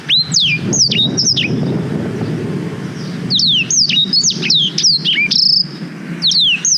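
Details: Black-throated canary song, long-duration recording made on a GoPro Hero 5 for tutoring young canaries: bursts of sharp, steeply falling whistled notes and quick twitters, separated by a pause of about two seconds, over a low background hum.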